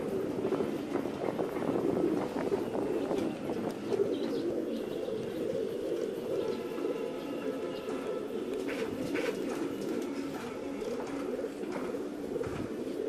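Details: Several caged fancy domestic pigeons (Columba livia domestica) cooing steadily, a low murmuring drone of overlapping birds.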